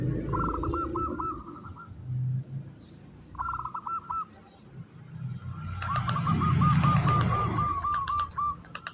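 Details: Local zebra dove in breeding condition, kantong semar ngretek song: two short rattling bursts, then a long run of quick repeated cooing notes at one pitch, amid low rumbling noise and clicks.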